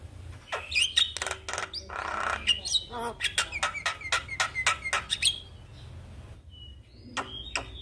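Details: Javan myna morning lure song, aimed at getting a silent myna singing: quick series of sharp clicks and chirps with brief whistled notes, a short gurgle, then thinner whistles.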